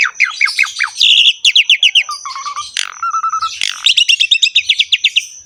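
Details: Asian pied starling singing energetically with rich varied phrases: falling whistles, quick rhythmic ticking series, a short flat low whistle, then a long run of fast repeated chirps. A faint steady high tone underlies everything.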